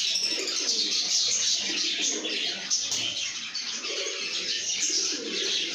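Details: Contented lovebirds singing and chirping: a thick tangle of sharp, high twittering notes and quick squeaks, uneven in rhythm, continuing without pause, with some softer lower tones mixed in.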